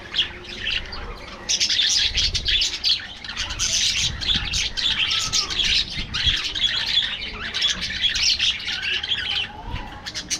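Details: Budgies kept as a colony chatter loudly and without pause, a dense wash of buzzy chirps and warbles, with occasional soft low knocks.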